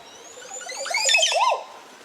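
A Montezuma oropendola gives a liquid, bubbling burst of tumbling notes ending in a loud, arching gurgle, about a second and a half long, with a quiet background.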